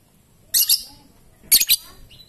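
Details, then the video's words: Lovebird, a bird singing in the ngetik and ngekek style, giving two paired bursts of harsh, very high chirps about one second apart against a quiet background. "Burung Love Bird Ngetik dan Ngekek Panjang"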